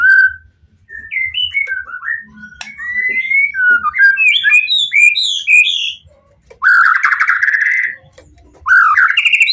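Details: White-rumped shama song played to provoke rival shamas into answering: a series of clear rising and falling whistles building into a rapid run, then loud harsh buzzy bursts.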